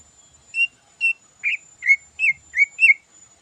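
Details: Greater green leafbird (cucak ijo) singing vigorously in the morning, a song full of learned phrases: seven clear whistled notes, some flat and some wavering, come at roughly half-second intervals and speed up toward the end.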